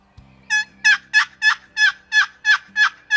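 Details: Wild Turkey tom gobbling during a spring turkey hunt in the final minutes of the season; a loud, rapid, rattling gobble of about nine even pulses, each broad and ringing, repeated roughly every third of a second, with a faint low hum beneath.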